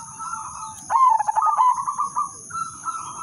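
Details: Udanmas silver zebra dove singing its melodious lure song to draw other zebra doves into song: a long sustained coo, then a rolling run of quickly pulsed cooing notes, ending in softer level coos, with a steady electronic whine in the background.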